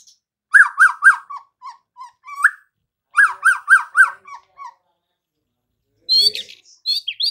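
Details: White-rumped shama singing vigorously: bursts of four rapid, loud, slurred notes in a middle pitch, then softer trailing notes, a pause, a repeat of the phrase, and finally high, buzzy twisting notes.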